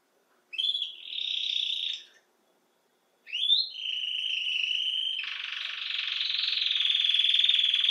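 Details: Song of a Belgian canary (canário-do-reino): a short buzzy tour, a pause of about a second, then an upward-swooping note leading into a long sustained rolling trill that gradually grows louder.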